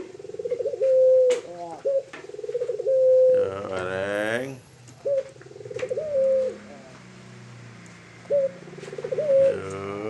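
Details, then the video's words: Barbary dove kept tame, the puter kreen, cooing repeatedly: rattling rolls leading into long level notes, brief sharp accent notes, and a loud broad harsh call partway through. "Burung Puter Kreen.. Jinak bangeeet."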